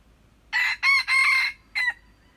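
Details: Red junglefowl crowing, recorded 21 February 2025: a loud, harsh crow in three close bursts, then a pause and a short clipped final note, over a quiet background.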